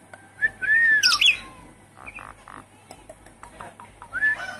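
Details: Javan pied starling song played as a lure for a caged bird that will not sing: an arching whistle, a rough burst, then soft clicks and a final rising whistle.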